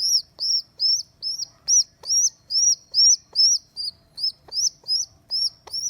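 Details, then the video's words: Abandoned baby rock pigeon rescued from a rooftop, day two of care, squeaking steadily: a fast, even run of high, arched whistled peeps, roughly two and a half per second, with faint tapping between them. "Baby Pigeon Squeaking | Sound"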